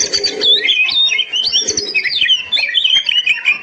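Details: Kacer, the oriental magpie-robin, singing a training song meant to make quiet birds sing eagerly: rapid, bright whistled phrases sliding up and down, with a few low muffled notes underneath.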